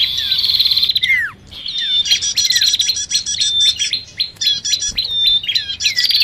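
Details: Lure track of noisy bar-winged prinia calls combined with common iora, meant to draw in both species: rapid buzzy chatter, sharp chirps and falling whistles, with a brief pause early on.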